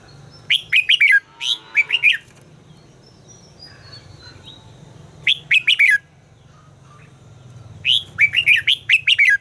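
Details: Red-whiskered bulbul training its song, pouring out repeated clusters of quick, bubbly whistled notes in bursts, with long pauses between groups over a low background hum.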